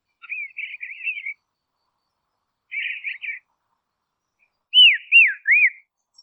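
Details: Dusky robin in quiet Tasmanian woodland gives two short bursts of twittering notes, then three clear, down-slurred whistles in quick succession; little else is heard.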